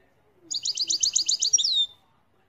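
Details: European goldfinch song: a rapid, bright twittering run of short repeated notes, high-pitched and rolling for about one and a half seconds, then ending in a brief downslurred note over a quiet background.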